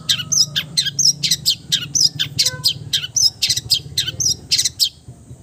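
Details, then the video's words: Long-tailed shrike in full mimicry song: rapid busy sequence of harsh chattering bursts and sharp squeaky whistles, nearly continuous, with hiss in the background. "MERDU SUARANYA, BISA MENIRUKAN SEGALA SUARA JENIS BURUNG | CENDET FULL MATERI"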